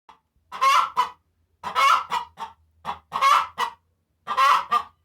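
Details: Hen cackling after laying an egg, expressing joy at laying: loud, harsh, nasal clucks in quick bursts of two to four notes, the bursts separated by short pauses, repeated about five times, with a faint low hum beneath.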